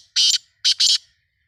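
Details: Black francolin, known locally as kala tetar, calling: loud, harsh, grating bursts, a single note then, after a short pause, a close double note, with near silence around them.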